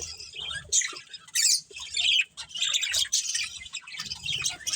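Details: Budgies in a breeding colony giving uneven bursts of sharp, high chirps and scratchy twitters, with louder squeaky outbursts near the start and middle over softer background chatter.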